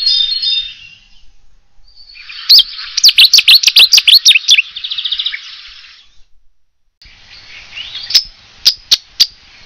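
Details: Cetti's warbler (Cettia cetti) in France bursts into song: a loud, explosive run of rapid, ringing notes lasting about two seconds, with a soft high hiss and scattered sharp clicks around it.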